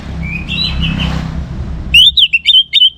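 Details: Orange-headed thrush singing to spur other birds to sing: a soft, distant whistle is followed by a sudden loud burst of sharp, rising whistled notes over faint background hum.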